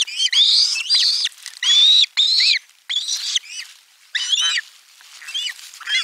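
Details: Loud screaming from osprey chicks receiving a fish at their nest camera in Finland, 18 July 2022; long harsh wavering shrieks, some overlapping, with quieter squeals trailing off at the end.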